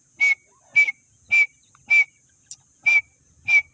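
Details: Grey francolin chicks from Sindh, being fed, repeat a clear short whistled peep with a raspy edge, evenly spaced around every half second.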